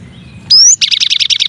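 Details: Masteran song of the cinereous tit (gelatik batu, gelatik wingko), one of nine variations: a loud rising whistled slide followed by a rapid buzzy trill of repeated notes.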